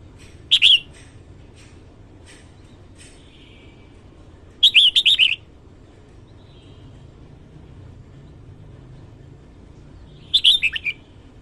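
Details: Red-whiskered bulbul singing in the morning: three short bursts of bright, warbled whistled notes, each under a second, spaced about four to five seconds apart over a quiet background.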